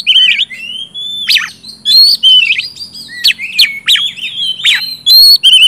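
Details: Oriental magpie-robin singing in the loud, continuous gacor ngeplong style used to prompt silent magpie-robins to sing: clear whistled notes sliding up and down, mixed with sharp high chips and buzzy flourishes in quick succession.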